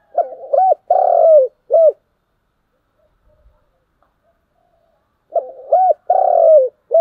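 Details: Spotted dove calling in the morning: two bouts of low, hollow cooing, each a short coo, a longer drawn-out coo and a brief final coo, separated by about three seconds of silence.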